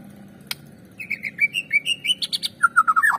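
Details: White-rumped shama song for stimulating other shamas to sing: a sharp click, then a steady series of short bright whistled notes edging upward, ending in lower slurred whistles that drop away.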